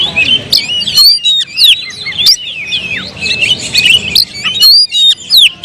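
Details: An Oriental magpie-robin, caged, sings varied twisting whistles and sharp clicks in quick phrases, with short gaps between bursts.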